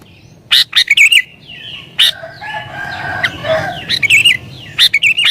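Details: Sooty-headed bulbul singing agitatedly to challenge rivals and draw in wild birds; clusters of sharp, bubbly chirps at the start and end, with softer mixed background sounds between them.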